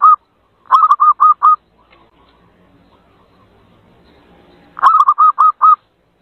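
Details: Zebra dove call used for luring wild birds: a quick string of five rounded, repeated coo notes, a long near-silent pause with faint background rustle, then another matching burst of coos.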